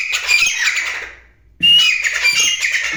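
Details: Black francolin giving loud, harsh, grating calls in two long raspy phrases, each with a brief whistled edge, split by a short pause.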